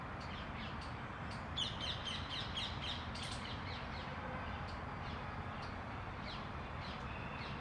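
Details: Oriental magpie-robin, New Delhi, India, 18 January 2021: bursts of quick, scratchy chattering notes, densest early on, then scattered single chips amid constant broadband noise.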